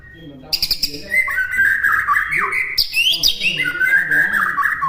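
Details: White-rumped shama in full, varied song used as a master recording for caged birds to imitate: dense, chattering warbles with sharp clicks, rising whistled sweeps and fluttering trills running continuously throughout.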